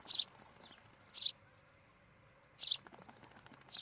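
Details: At an osprey nest in Charlo, Montana, a camera on 16 July 2018 in the afternoon captures four strong, high, doubled chirps roughly a second or more apart, with low rumbling noise underneath.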